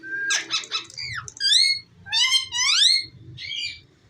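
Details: Ringneck parrot talking indoors: squeaky, rising and falling harmonic syllables in quick bursts, some sharply upswept, with short pauses between phrases.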